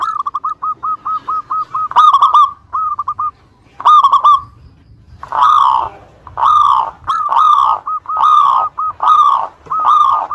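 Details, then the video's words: Local zebra dove song played to make rivals answer: a fast stuttering run of low coos, then short clipped bursts, ending in slower, fuller repeated coos roughly one per second. "Suara Pancingan Perkutut Lokal Gacor Suara Paling disukai Memancing Lawan Langsung NYAUT"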